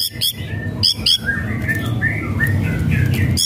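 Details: Lure recording of white-rumped shama whistles and rattles for an idle bird: sharp high clicks at the start, then soft sliding whistles and short chirps over a steady low hum.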